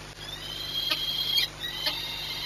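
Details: Peregrine falcon, Orlen Płock, 22 March 2021 at 14:39: a drawn-out, high, thin wailing whine held steadily for over a second, broken by brief louder accents, then resuming more faintly.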